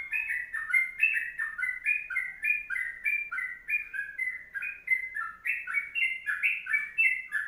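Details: Long, continuous kongslet song of a sooty-headed bulbul for tutoring: rapid liquid paired whistles in a steady chain, roughly three phrases a second, with quiet high clicks in the background.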